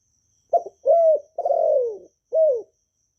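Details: Spotted dove from Vietnam, its calling, urging and cooing style used to stimulate newly kept doves to sing: one low cooing phrase of a brief stutter, a level note, a long drawn descending note and a short falling end note.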